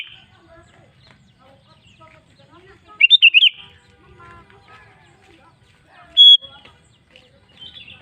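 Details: Sooty-headed bulbul song meant to coax other bulbuls into singing: one short burst of bubbly, rolling notes, then a single clear high whistle a few seconds later, with faint soft chatter in between.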